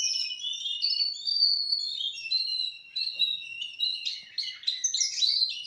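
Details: Four-month-old Russian canary singing a continuous, high, warbling song of whistled trills and rapid twittering phrases, some notes held and sliding, with no other noticeable sounds.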